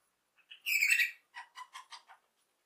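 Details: Cheerful lovebird chirping opens with a loud, grating squawk, followed by a quick series of five clipped, scratchy chirps falling slightly in pitch.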